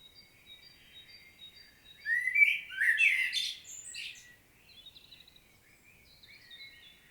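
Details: Rich fluted phrase from a common blackbird, recorded in Świnoujście, Poland, on 25 September 2022, opened by faint high notes and finished with squeaky chattering flourishes, then softer distant twitters.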